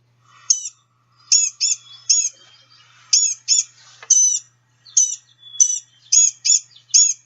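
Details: Blue-gray Gnatcatcher calls from a Northeastern U.S. bird guide: thin, high, nasal, catbird-like mewing notes, short and whiny, likened to tiny people screaming, about a dozen in irregular quick bursts.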